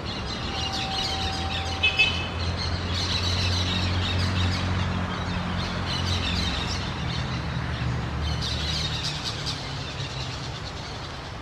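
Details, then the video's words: A flock of Orange-chinned parakeets chatters in shrill, scratchy bursts that come and go over a steady low rumble. "SONIDOS DE PERIQUITOS VERDES BARBINARANJAS"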